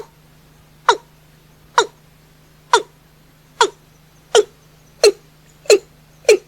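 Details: Watercock calling after dark in an accelerating run of eight short, throaty descending notes, the gaps shrinking toward the end, over a steady low hum.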